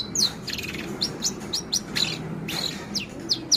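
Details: Long-tailed shrike aged four months mimicking scarlet minivet and canary: short bright chirps and down-slurred notes spaced irregularly, a few per second, over faint background hum.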